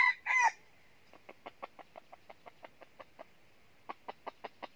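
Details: Red junglefowl decoy luring wild junglefowl into a trap in the north: the loud, rasping tail of a crow, then a long series of soft, evenly spaced clucks that briefly pause and return slightly louder.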